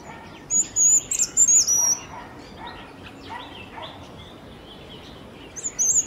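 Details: Jerdon's bush lark (Plocealauda affinis) singing in Kerala: a burst of thin, very high whistled and trilled notes in the first two seconds, then quiet with faint background chirps, and a brief high phrase returning near the end.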